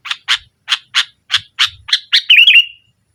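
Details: Sooty-headed bulbul in lively 'nggaruda' style song, used to pressure rivals and as a lure for silent bulbuls: eight harsh, buzzy chattering notes in quick succession, ending in a longer, wavering, slurred phrase.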